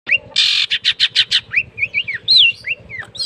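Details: Caged long-tailed shrike (cendet) singing right after its cover is opened: a burst of harsh buzzy notes repeated about six times, then clear whistled upslurred and downslurred notes; a faint low steady hum underneath.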